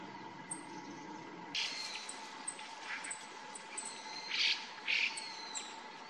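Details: Male grey bunting giving its ground call, said to resemble a black-faced bunting's, recorded 2 January 2022. Short, sharp high notes come singly and in pairs, strongest near the end, with faint chirps from other birds and a steady hum.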